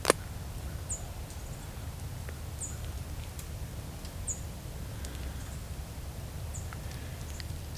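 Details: American tree sparrow in winter around Hamilton, Ontario (Valens Lake or Dundas Valley Conservation Area), during a Christmas Bird Count: thin, high, slightly falling chew-like call notes about every two seconds over a low rumble of wind or distant traffic.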